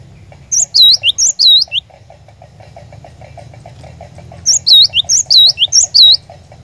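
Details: Cinereous tit song used as a lure to set a caged bird singing: two bursts of clear, high whistled notes, each a quick down-up swoop, about six per burst, separated by a pause over a steady low hum.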